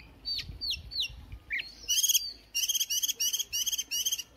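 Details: Oriental magpie-robin, a newly caught bird warming up in the morning, gives a few slurred whistles, then a series of about six harsh, buzzy rasping notes repeated in quick succession.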